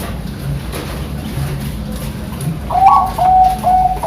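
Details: Bangkok perkutut, a zebra dove bred in Sidoarjo, East Java, in its 'pakem' song style: after a quiet start, a brief burst of clear, slightly rising coo notes followed by steady whistled tones, against low indoor hum.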